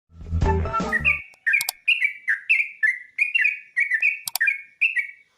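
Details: Sooty-headed bulbul singing at dawn, a bird fed on dried rice: after a loud low rumbling opening second, a steady series of short, bright chirped notes with quick downward hooks, evenly spaced about every half second, with a few sharp clicks.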